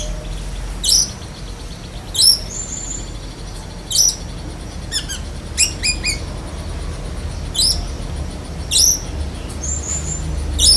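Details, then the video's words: Caged black-breasted oriental magpie-robin singing with imitations of cotton-bird and lovebird calls: spaced, sharp high whistled notes and short chirps every second or two over a steady low hum. "Kacer DAHIT besetan kapas tembak sambung lovebird"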